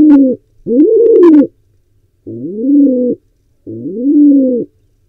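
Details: Wild pigeon trying to breed at an owl and pigeon nest box in Israel; four low arched coos with uneven pauses, the first pair close together with scratchy higher bursts over them.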